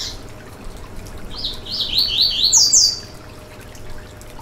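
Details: A Yellow-bellied seedeater delivers one full phrase, played to stimulate a kept bird: rapid high, buzzy, sliding notes building to two piercing top whistles. A short high note opens the clip, and soft hiss runs throughout.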